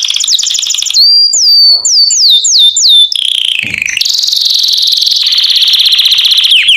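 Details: Canary song meant to train young canaries: a quick high trill, a series of falling whistled slurs repeated about every third of a second, then a loud, steady rapid rattle.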